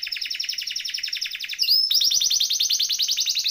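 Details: Canary in lively rolling song, used to train or prompt canaries that have stopped singing; one rapid trill, a quick upward sweep, then another louder fast trill.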